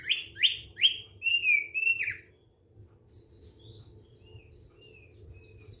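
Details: Thick-billed white-eye singing a relaxed song: three loud, rising, buzzy whistled notes and a warbled phrase in the first two seconds, then only faint distant high chirps.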